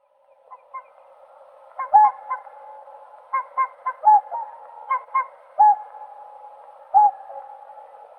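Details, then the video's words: Whooper swan calling: clear, bugling honks, several doubled, rising out of a constant murmur of many distant birds. "Голоса птиц Как поёт Лебедь кликун (Cygnus cygnus)"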